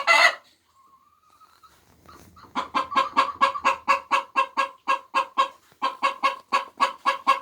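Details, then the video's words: Hens laying eggs: a sharp squawk, a thin rising whine, then a long rhythmic run of short, harsh clucks at about two per second, with faint low rumbling underneath early on. "Sounds of 🐓Chicken's Laying Eggs 🥚🥚"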